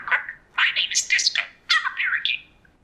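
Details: Budgerigar named Disco, raised with humans for years, talks in a thin, high, buzzy voice, saying whole sentences like "What seems to be the problem, officer?", with several quick syllable bursts in about three seconds.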